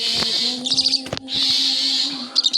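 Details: Myna parents, above a fallen chick on a chicken-house roof, scream in alarm: two long, harsh, rasping screeches with short grating chatters between, over a steady low hum.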